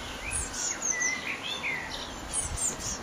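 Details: Eurasian blue tit chicks leaving their nest box in May 2011 on a very windy day: thin, high chirps, some sliding up, others dropping, in quick irregular bursts, with soft wind rumble beneath.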